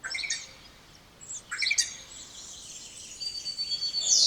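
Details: Spotless starling song in fragments: scratchy, buzzy notes and short chirps, then a thin level whistle that ends in a bright, rising flourish.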